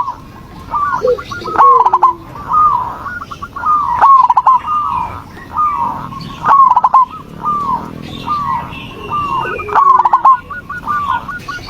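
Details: Lure recording of zebra dove song for getting a reluctant dove to answer: almost continuous overlapping phrases of hooked, cooing notes and rapid stuttered trills, with faint higher chirps in the background.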